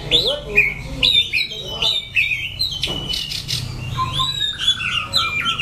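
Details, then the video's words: White-rumped shama from Daklak, Vietnam, recorded in September 2015, singing a varied run of clear whistled notes and sweeping slurs, some rising, some falling, with a rougher burst midway and a low steady hum underneath. "Chòe lửa"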